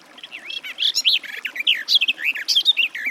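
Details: Rapid, rich warbling from a Garden warbler (Sylvia borin), with rolling, swooping notes running together in a continuous stream over three seconds.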